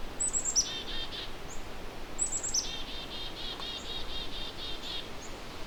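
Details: Agitated Black-capped Chickadees in late May at McGregor Point Provincial Park near Port Elgin, Ontario, on Lake Huron's eastern shore. They give chick-a-dee calls: thin high notes, then harsh buzzy dee runs, over soft hiss. They are near a hidden hole in a dead birch, possibly holding young.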